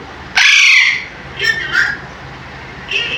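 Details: A pet Alexandrine parakeet talking loudly: a loud, harsh, speech-like squawk, then two shorter raspy utterances and a brief final call, over a low steady hum.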